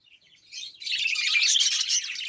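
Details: Budgerigars break into a clean, bright warble of quick squeaky chirps after a short quiet start, with no other sounds.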